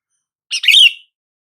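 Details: Calling sooty-headed bulbul, played to prompt silent bulbuls to answer; one short, rich warbled phrase of rapid bubbling notes, loud and clear against silence.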